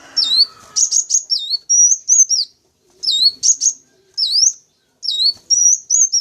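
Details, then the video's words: Sunbird pikat sound for luring wild wulung, kaca and jentit sunbirds: rapid high stuttering chirps, dipping notes and thin rising whistles in repeated bursts, with a brief soft noise at the start. "Suara Pancingan Atau Pikat Burung Kolibri Wulung, Kaca, Jentit Langsung Respon"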